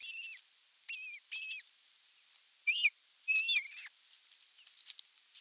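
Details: Osprey at its nest on 30 June 2022 during the evening meal, filmed by a nest camera: high, clear whistled notes, some sliding down, given in short bursts with pauses between, over quiet background hiss.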